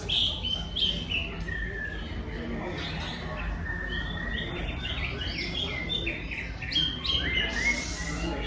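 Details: Greater green leafbird singing varied borrowed phrases, including tengkek udang and jinjing petulak material. Sharp high chirps and whistled slurs follow one another rapidly, with low hum and faint voices behind.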